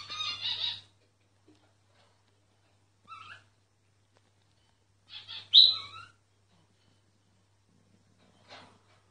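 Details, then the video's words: A myna's song in scattered phrases: a harsh buzzy burst, a short whistle, then a loud squealing note with a whistled drop, separated by long silences, with a faint hum. "Mynah singing"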